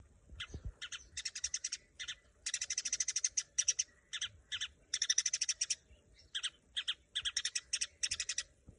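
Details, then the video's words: Long-tailed shrike (cendet) song during training: dense bursts of harsh, rapid repeated notes in quick stuttering series, separated by short pauses, with a faint steady high hiss throughout. "Saatnya melatih burung cendet"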